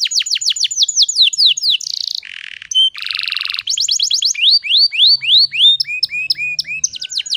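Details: Female canary luring males with song: quick falling sweeps, buzzy rolls, a short held whistle, rising swept notes and clipped chirps, varied and continuous, with a faint low hum partway through.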